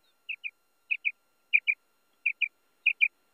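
Common Quail giving clear, liquid two-note phrases at a mid-high pitch, repeated about every two-thirds of a second, five times in quick succession; nothing else heard.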